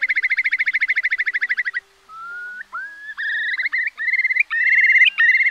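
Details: Eurasian curlew calls played as a lure for night net trapping during the August 2024 migration: a fast, even bubbling trill lasting almost two seconds, then a series of rising, clear whistles broken by short gaps.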